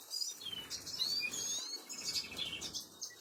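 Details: Baby canaries begging as they are fed, 26 April 2022: a busy stream of shrill, high cheeps and short thin whistles, some sliding downward, pulsing in quick bursts with brief lulls, and soft fluttering beneath.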